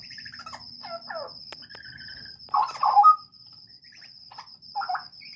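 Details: Straw-headed bulbul in a breeding aviary, heard as scattered slurred chirps that build into a loud, throaty gurgling phrase. Quieter notes follow, against a persistent thin electronic-sounding whine and a low hum.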